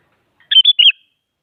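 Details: Sooty-headed bulbul song to spur rival bulbuls: a lone rapid phrase of three clear, slurred whistles, bright and loud against silence.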